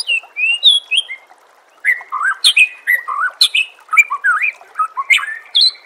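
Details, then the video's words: White-rumped shama singing a rich, varied run of loud whistled phrases, swooping notes and sharp chirps in rapid bursts after a short pause; a masteran recording used to train captive shamas to sing and build a fighting temperament for contests. "Suara Masteran Murai Batu Gacor"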